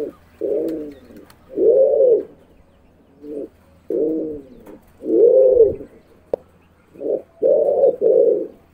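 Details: Pigeon cooing: six soft, low, rounded coos, each about half a second long, spaced irregularly with short gaps, over a faint steady low hum.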